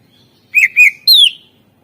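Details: Clear whistled phrase from a greater green leafbird: two short level notes, then a longer high downslurred whistle; part of a master song to prompt reluctant singers.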